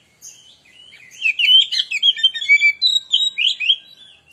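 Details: Oriental magpie-robin (kacer) in a lure song recording meant to provoke other birds: a rich, rapid, varied run of sweet whistles, chirps and trills, densely packed phrases sliding up and down, continuous for about three seconds.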